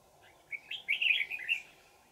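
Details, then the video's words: Old wild red-whiskered bulbul, noted for a twisting bell-like voice, singing while being trapped with a decoy on 20 December 2018: a single rich, warbling phrase of about a second, rising and falling through quick slurred notes. "Bẫy chào mào Già rừng giọng chuông xoắn tít"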